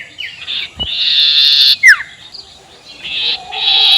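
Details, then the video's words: Ngekek call of a sirtu, used to provoke rivals: long harsh buzzy hisses broken by one sharp downslurred whistle, with the buzz returning in two further bursts. "SUARA NGEKEK SIRTU BIKIN LAWAN EMOSI"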